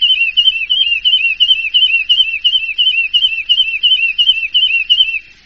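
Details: Champion first-place contest Horsfield's bush lark singing: a fast, even run of looping whistled notes repeated about three times a second, high and clean throughout.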